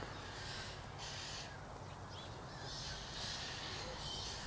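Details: A group of about twelve white-winged choughs feeding together in long grass on an autumn afternoon give harsh, rasping, crow-like calls in short bursts from a distance, over a steady hiss of wind.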